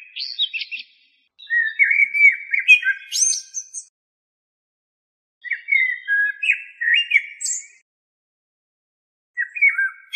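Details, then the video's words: Warbling common blackbird (Turdus merula) phrases: low mellow whistles that break into high, squeaky twitters at the end, repeated after pauses of one to two seconds; no other sounds are present. "تغريد طائر الشحرور ( جحمومية - الزرياب ) Turdus merula"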